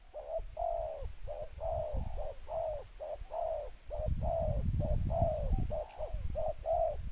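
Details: Spotted dove calling as a lure for others in the two-note style, a long rapid string of short mellow coos, many in quick succession, backed by heavy low rumbling noise.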